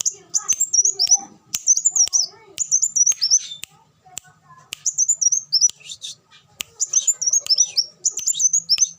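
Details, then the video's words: Sunbird known locally as kolibri wulung, pouring out rapid high-pitched chittering phrases with sharp clicks between bursts and some faint lower chatter in the background. "suara burung kolibri wulung"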